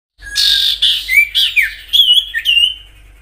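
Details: Common iora song in the natural 'gacor nyiul' style, used as a lure to get other ioras singing: a high buzzy note, then sharp whistled slurs and short rising-falling whistles in quick succession.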